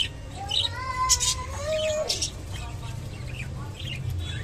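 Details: Japanese budgerigar eating kolmi shak, giving clear whistled notes that slide upward and then fall, with short high chirps scattered between them over a low, steady background rumble.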